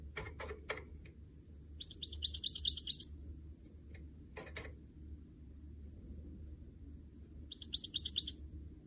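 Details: Caged goldfinch mule, a canary and goldfinch hybrid, kept for song training: two short bursts of high, rapid twittering notes a few seconds apart, with sharp clicks near the start and a low steady hum underneath.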